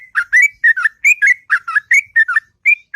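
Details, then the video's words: Sooty-headed bulbul singing a long, sweet song in the morning: rapid bubbling whistled notes, each dipping then rising, delivered in quick clusters with short gaps, clear against a silent background. "Burung Trucuk Ngropel Panjang & Merdu Di Waktu Pagi"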